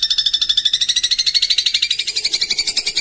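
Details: Long-tailed shrike (cendet) song used as training audio with house sparrow fill-ins: a rapid, steady, high buzzy trill of repeated notes, slightly rising in pitch toward the end.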